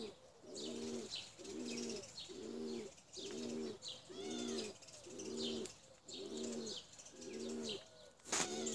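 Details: Tumbler pigeons, domestic birds kept for flying, repeat a low, rolling, layered coo about once a second, eight phrases in a row, ending with a sharp clap.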